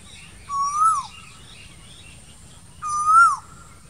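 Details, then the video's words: Asian koel in green summer trees giving two long whistled notes that climb then dip at the end, about two and a half seconds apart. "Summer Koel Bird sounds"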